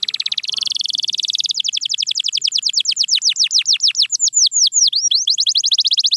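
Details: Canary song played to coax quiet canaries into singing: a short buzzy trill opens, then a long, fast run of descending whistled sweeps that turn into looping U-shaped dips near the end.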